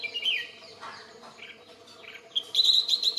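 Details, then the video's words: Red-whiskered bulbul (Pycnonotus jocosus) song with varied short whistled and slurred phrases at first, a quieter pause, then a fast high-pitched trill of evenly repeated notes to the end. "Red-whiskered Bulbul[Pycnonotus jocosus]"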